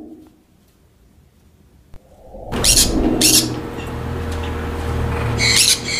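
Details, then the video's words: Monk parakeets housed in aviaries for colony breeding: after a quiet start, loud raspy squawks break out in quick succession over a continuous low droning hum. "أصوات ببغاء المولينا في السلاكات والتربية الجماعية"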